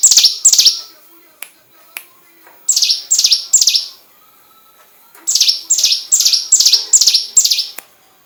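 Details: Hill prinia phrases kept as a training song for white-rumped shamas: two sharp notes, a pause, three more, then a steady run of six loud, downslurred chips repeated at a brisk, regular pace.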